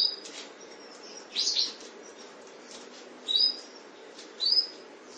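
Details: Breeding pair of canaries: three short, high, bright chirps about a second or two apart, with fainter twittering between, over a steady low hiss. Canary.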